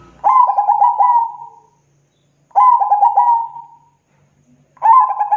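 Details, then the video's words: Zebra dove song: a clear, mellow cooing phrase of rapid stuttering notes that trails off, repeated three times at intervals of about two and a half seconds with silence between. "Suara Burung Perkutut Gacor Tebal Jernih dan Bersih"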